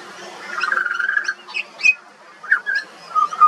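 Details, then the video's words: A young pied butcherbird sings in Australia, giving a steady mid-pitched warble followed by a series of short separate notes, some flicking upward or downward, with brief pauses between them. "Butcherbird. Bird Singing. Bird Call and Sounds"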